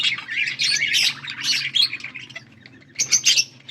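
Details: Budgerigars recorded August 14, 2024, giving short bursts of harsh, squeaky warbled chirps, then a brief pause and a final burst, over a soft low hum.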